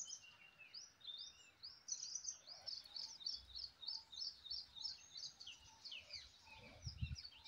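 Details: Indian paradise flycatcher (Terpsiphone paradisi), shown flying and calling: a steady stream of high, sharp chirps and short slurred notes, several per second, with a low rumble near the end.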